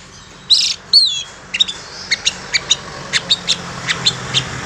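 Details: Long-tailed shrike lure call for trapping wild shrikes: two grating, rasping bursts followed by a steady train of short, sharp ticking chirps repeated every quarter second.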